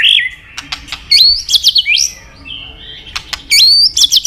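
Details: Popular with songbird keepers, a white-rumped shama delivers high whistled notes with sharp upward flicks and short clicks, pausing between bursts of rapid, bright phrases.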